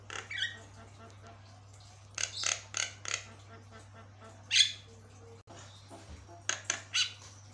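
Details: Javan myna singing lively, with a song said to set other mynas calling back in reply. Harsh, scratchy bursts come in clusters: a short pair at the start, a run of four, one loud note, then a closing group, over a steady low hum.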